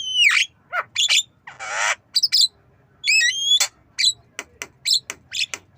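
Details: Captive black-winged myna learning to cough: a rapid jumble of harsh squawks, a noisy cough-like burst, sharp whistled notes sweeping down, and short clicking chirps.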